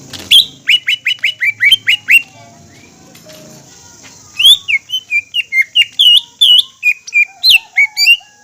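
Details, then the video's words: Excited green leafbird song used as a lure: a rapid train of bright whistled chips, a short gap, then a varied chain of sweet slurred whistles, rising and falling notes. "PANCINGAN CUCAK IJO GACOR"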